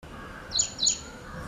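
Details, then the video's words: Ashy prinia (Ashy Wren-Warbler) giving two sharp, high, clipped notes about a third of a second apart over faint background hiss. "Ashy prinia or Ashy Wren Warbler - Call,song and its behaviour"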